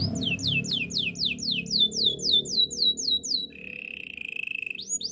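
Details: Canary singing for training: a rapid chain of repeated downward-swooping whistles with a higher echoing series above, then a flat buzzy rolling trill and a final rising slur, over a faint low background hum.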